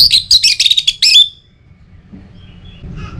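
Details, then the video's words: Orange-headed thrush song meant as a lure to set other birds singing, Singaraja, Bali: a dense, fast jumble of high chirps and slurred whistles lasting about a second, then near silence. "ANIS MERAH Untuk Suara Pancingan Burung Agar Rajin Bunyi Ngeplong Pagi sampai Sore Hari"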